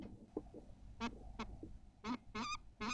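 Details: Common kestrel at a nest in Théding on 14 May 2023, calling while laying a fragile white egg: spaced, strained, nasal harmonic notes, some soft and some louder, against a low steady background hum.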